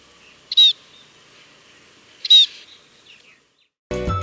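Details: Scaly-breasted munia (spotted munia, Lonchura punctulata) in Sri Lanka, a small grassland and garden finch often in small flocks, gives two short, high, slightly nasal call notes about two seconds apart, followed by a burst of music.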